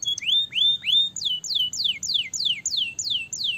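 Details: Canary voice played to encourage young canaries to start singing fast and roll long; a few rising whistled slurs followed by a steady series of about eight high, falling sweeps, roughly three per second.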